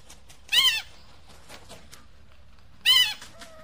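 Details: Eagle giving two loud, harsh screams, each dropping sharply in pitch and spaced about two seconds apart, over a faint low rumble.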